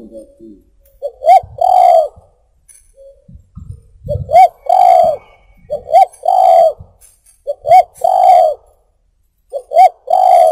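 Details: Spotted dove cooing, used for luring birds: low mellow phrases of two quick hooked notes followed by a longer drawn-out coo, repeated about every two seconds, with faint clicks and bumps between phrases.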